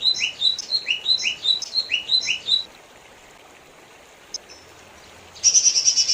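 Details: Lesser green leafbird song: a quick series of bright, downward-slurred whistles repeated about twice a second, a pause with a single click, then a harsh buzzy chatter starting near the end.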